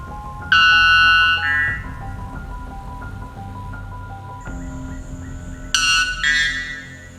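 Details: White bellbird, noted for record-breaking loudness, giving a loud, ringing, metallic two-part blast, then another piercing burst a few seconds later, over steady background music.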